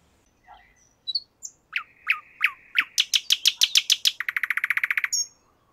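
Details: Common nightingale in a park in Moscow: a few soft scattered notes, then sharp clicks that build into a fast, loud, evenly pulsed rattle, speeding up near the end before stopping abruptly; faint background hum.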